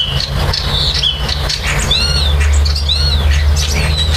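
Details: Common starlings at their nest, building: varied song of arched whistles, harsh squawks and clicking notes, with two clear ringing whistled arcs near the middle, over a deep persistent hum.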